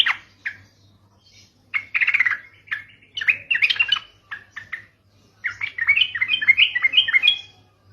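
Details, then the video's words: Sooty-headed bulbul lure song intended to make other bulbuls respond: scattered chirps and short warbled phrases, then a longer bubbling run of liquid whistled notes near the end, with a constant low hum. "PANCINGAN TRUCUK DIJAMIN LANGSUNG BUNYI"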